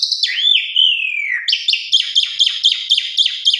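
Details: Female Asian pied starling calling to a male: a long gliding whistle sweeping downward, then a steady run of short, high, repeated chip notes about four per second.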